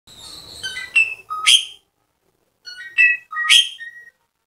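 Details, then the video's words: Asian pied starling singing vigorously, used to spur a silent bird into song: two bursts of sharp, clear whistles with brief lower notes, separated by a gap of silence. "JALAK SUREN GACOR RIBUT PENGGACOR JALAK SUREN MACET"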